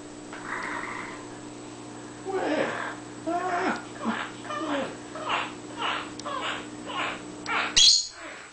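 A pet monk parakeet imitates human laughter in a quick run of rhythmic, hoarse 'ha-ha' bursts.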